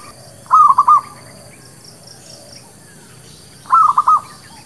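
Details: Zebra dove lure song for trapping and new birds: two short bursts of four quick, clipped cooing notes about three seconds apart over a low background hum.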